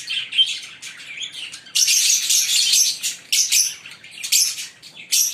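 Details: Shrill, buzzy chirping from a green pair of Fischer's lovebirds, starting softer and then swelling into loud, dense runs of high rasping notes with brief dips between bursts.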